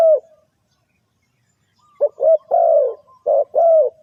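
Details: Spotted dove cooing played to lure birds into a trap: one soft coo, a long silence, then a phrase of brief clipped notes followed by longer mellow coos.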